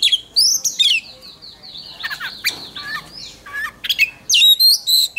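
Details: Oriental magpie-robin singing for contest, voice-training: rich mix of sweeping whistles, sharp chips and harsh rasping notes, fast varied phrases with brief pauses, slight background hiss.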